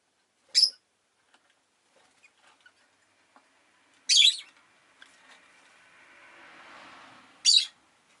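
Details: Three short, sharp, high chirps from a lovebird spaced several seconds apart, with faint ticking and a soft whooshing street noise passing in the background.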